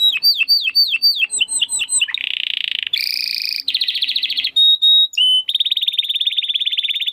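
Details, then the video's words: Caged domestic canary in vigorous crystal-voice song, used to train competition birds: a run of rapid falling whistles, then alternating buzzy rolls, short pure tones and a long fast high trill, with a faint low hum. "Kenari Gacor Suara Kristal Buat Masteran Burung Gantangan"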